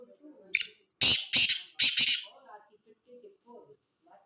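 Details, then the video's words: Black francolin calling: a harsh, grating burst followed by four loud rasping notes in quick rhythm, with soft chirps of other birds in the background. "کالا تیتر کی اواز"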